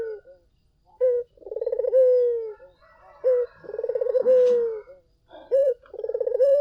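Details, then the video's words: Gacor-style cooing of a collared dove, meant as a lure so other doves reply: a short sharp note, then a vibrating rolling coo that flattens and falls, given three times in close succession. "SUARA BURUNG PUTER GACOR! 100% pancingan ampuh,puter kamu pasti katut"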